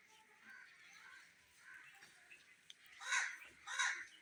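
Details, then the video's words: A pet Indian ringneck parrot (rose-ringed parakeet), a talking bird, chatters softly in speech-like murmurs, then gives two loud, harsh, raspy squawks about a second apart. "My funny talking parrot | Indian ringneck parrot"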